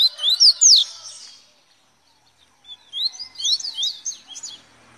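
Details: Double-collared seedeater singing in the velocista style: a quick burst of bright, rising and falling whistled slurs, then after a pause a second rapid, chattering run of high sweeping notes.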